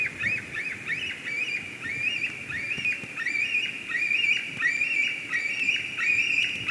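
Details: White-tailed eagles at a nest in Durbe, Latvia, on 13 August 2023, when a strange ringed eagle arrives; a continuous run of thin, high, slurred yelping notes, roughly one and a half per second, over outdoor hiss.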